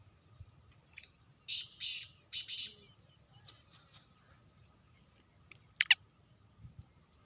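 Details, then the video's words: Black francolin from Sindh, Pakistan, giving a rather distant call of three harsh, buzzy rasping notes in close sequence, followed later by one sharp click-like note, in quiet surroundings. "Kala Teeter"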